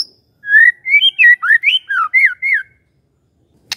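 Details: Magpie-robin song used as a lure for a silent bird: a continuous stretch of about ten rich whistled notes, looping up and down in quick succession, then silence and a final click.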